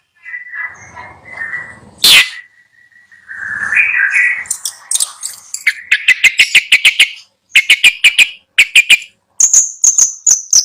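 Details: Caged long-tailed shrike at a bird seller's in Bondowoso, heard while a bird is picked for purchase: a wavering mid-pitched warble and one sharp crack, then rapid clicking chatter with bright whistles, closing on a high descending whistle.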